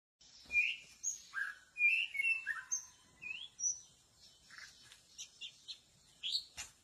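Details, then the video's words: White-rumped shama song used as a decoy to lure birds in a bamboo forest. Clear, varied whistled phrases slide up and down, separated by short pauses, followed by softer fading notes and a few sharp clicks. "pasang pikat murai batu di hutan bambu"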